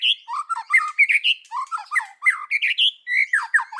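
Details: White-rumped shama in forest-voice singing style with 'kéo thuốc lào' phrasing: fast, continuous jumble of short whistles, slurred notes and chatters, jumping between low and high pitches.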